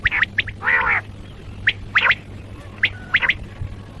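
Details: Common quail (Coturnix coturnix), call.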